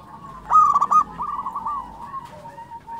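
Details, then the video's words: Local-type zebra dove in full song: a loud burst of rapid, stuttering coo notes opens the phrase, then trails into softer rolling notes over a steady, faint humming tone in the background. "SUARA perkutut lokal gacor"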